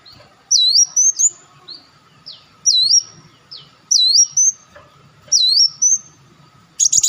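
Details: Olive-backed sunbird sound used to attract birds: sharp thin notes alternate with looping whistled swoops, about four phrases, and a rapid buzzy trill closes the sequence.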